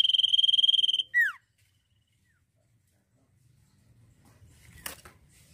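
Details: Sirtu bursting into song: a quick, even high-pitched trill for about a second, then a single downward-sweeping whistle, then near silence with faint rustling and a brief click.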